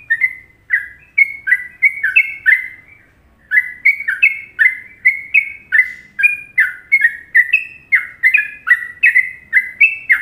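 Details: Sooty-headed bulbul, Indonesia, singing the well-liked Trucukan melody for masteran: a brisk chain of mellow bubbling whistled phrases with a brief pause near three seconds, then steady rapid repeats about twice per second.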